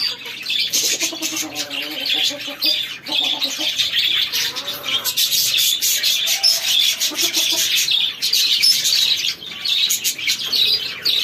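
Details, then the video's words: Chicken chicks feeding, constant high-pitched peeping from many birds, mixed with lower, rounder warbling notes rising and falling through the middle of the recording. "Chicks feeding"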